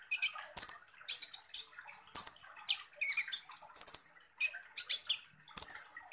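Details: Harsh 'tembakan kasar' song of Van Hasselt's sunbird, known as kolibri ninja: dense high, scratchy phrases of buzzy rasps and short sharp chips, repeated in quick bursts about every second.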